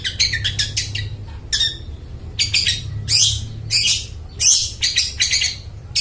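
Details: Long-tailed shrike singing vigorously, used as lure song for mute shrikes: fast runs of scratchy notes mixed with harsh, strained squawks, nearly continuous, with a low hum underneath.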